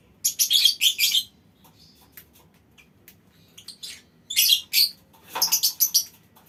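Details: A colony of lovebirds in a small aviary gives loud, shrill, scratchy chatter in short clustered bursts, with quieter scattered chirps between them and soft background rustling.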